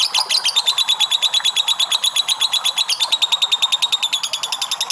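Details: Sustained ngekek from a lovebird: a rapid, shrill, rattling trill of closely packed high notes, briefly breaking into a sharper squeal around the third second before continuing steadily.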